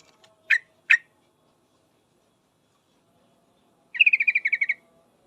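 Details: Female yellow-vented bulbul calling to a male: two separate sharp chips, a pause of about three seconds, then a quick rattling series of around ten ringing notes.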